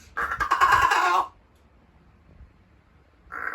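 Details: Rescued large-billed crow, kept as a pet, doing morning vocal practice as if preparing to greet with 'good morning'; one harsh, nasal, rasping call about a second long, then silence and the start of another.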